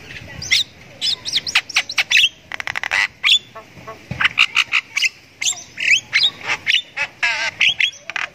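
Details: Javan myna kept in a cage, once a somersaulting bird, singing lively after patient routine care. A busy medley of looping whistled phrases, sharp chips and a grating rattle burst, with notes tumbling out rapidly for the whole stretch.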